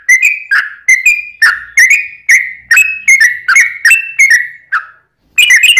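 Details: Long-phrased yellow-vented bulbul song meant to provoke other bulbuls to reply: bright bubbling whistles repeated about three per second, a brief pause near the end, then a fresh burst of quick notes; otherwise quiet.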